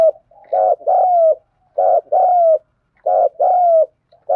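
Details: A spotted dove gives repeated thúc gù coos, each phrase a short buzzy throb then a sustained, softly descending coo, about three full phrases with the next beginning at the end.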